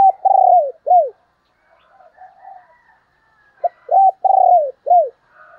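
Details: Spotted dove used to lure other doves, giving two loud low cooing phrases that end in falling notes, with fainter cooing from other doves heard in the gap between them.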